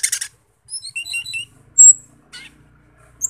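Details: Asian glossy starling, a bird with glossy greenish-blue black plumage and red eyes, gives a loud shrill song: a buzzy burst, then sharp high whistled notes and a piercing squeal, with short pauses between phrases.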